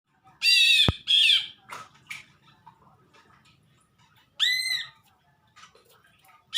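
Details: Greater green leafbird giving unusual calls: loud harsh squawks with stacked harmonics, then a sudden sharp click, scattered softer chirps, and another harmonic squawk near the end.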